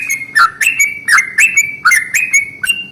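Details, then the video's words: A yellow-vented bulbul sings its long rolling morning song, which is used to stir other bulbuls into song. Loud, bubbly, chattering notes run almost without pause, each a quick dip and rise. "SUARA trucukan ROPEL PANJANG pagi hari"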